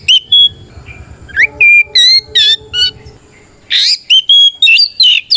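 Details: Oriental magpie-robin in vigorous ngeplong fighting song, meant to provoke rival kacer into answering. Clear sustained whistles and quick upslurs are given about three per second, with a low engine rumble early and a harsh burst midway.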